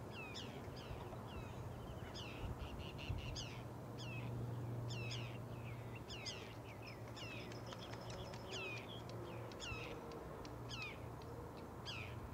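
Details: Canada goose goslings, recorded in 2023 while relaxing on the shore with their family: rapid, high, downslurred peeping notes, about three per second and irregular, over a constant low rumble like distant traffic.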